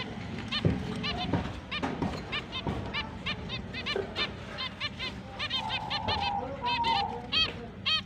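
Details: Several finches at breeding-season onset, October 29, 2023, calling in rapid repeated nasal chirps and clipped stacked notes, with a steady low rumble beneath and a drawn-out honking call near the end.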